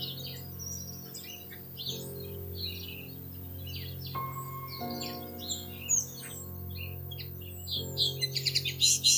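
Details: Bushtits around their nest in plum tree branches, recorded at treetop level in early May: sparse high chips and brief twitters, turning into a quick burst of sharp notes at the close, beneath background music.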